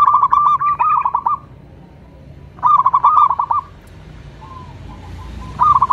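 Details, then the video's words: Local zebra dove, male, singing: rapid bursts of clear, pulsed cooing notes near one pitch, each burst about a second long and repeated after short pauses, over faint low background hum. "cukup sekali dengarkan perkutut lokal ini manggung"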